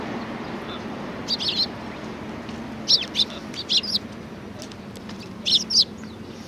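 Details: Eurasian tree sparrows gathering at food at a Tenmangu shrine on 19 April 2019; short high chirps come in small bursts of two or three, separated by pauses, over a steady low background hum.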